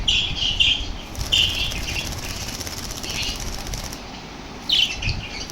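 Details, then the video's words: Energetic lovebirds reacting to lovebird sounds, giving a few sharp shrill chirps at the start, a lower rasping stretch, then another sharp chirp near the end, with faint background noise. "How they Reacted on LOVE Birds❤️ Sounds | Became so super active and Energetic"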